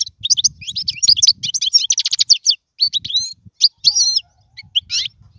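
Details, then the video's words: European goldfinch singing to teach young birds: dense tinkling twitter and trills at first, thinning into scattered twangy chirps and slurs, with a soft low rumble. "اسمع المقنين واعطي رايك فيه,افضل تغريد لتعليم الفراخ"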